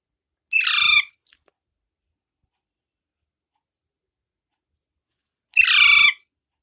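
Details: A hungry pet Alexandrine parakeet chick, bobbing its head for food, gives two harsh, raspy squawks about five seconds apart, each about half a second long, begging to be fed.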